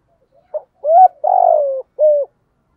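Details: A single complete phrase from a spotted dove in the 'giọng thổ' style, recorded in 2021 as a lure for wild doves: a soft pip, a rising coo, a long vibrating coo falling at the end, then a short closing coo.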